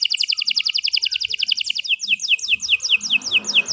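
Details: Long continuous canary song for song training: a very fast, even run of bright chirped notes at two pitch levels, shifting into slower, sharply falling slurred notes, with faint low background noise.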